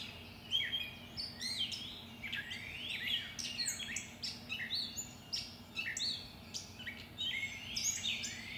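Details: A backyard chorus of birds at 5:45am on May 11, captured through a shotgun mic: many bright chirps, rising and falling whistled slurs and quick twittering notes overlap continuously over a faint low hum.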